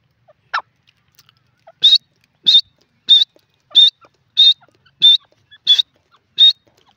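Grey francolin giving eight loud, shrill, high whistled notes in a steady series, about one and a half per second, over faint clicks.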